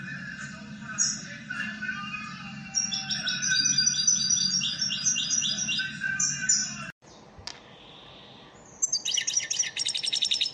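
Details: Elmacık goldfinch lesson song for caged birds: a long run of rapid twittering over a steady low hum, a sudden cut to near-silence, then another bright burst of fast jingling notes.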